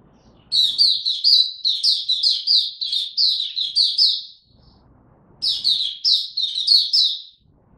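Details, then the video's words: White-eye kept in a cage, recorded 3 January 2022 while in ramped-up form, delivering its opening song: about four seconds of quick, shrill repeated twitters, a one-second silence, then another fast twittering burst. "Mata Puteh Dagger ramp up form buka tiong aw sing"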